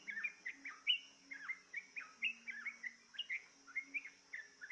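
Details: Yellow-vented bulbul, enticed to sing with a lure, gives a chattering series of brief liquid chirps and slurs, about two to three per second, over a continuous shrill insect buzz.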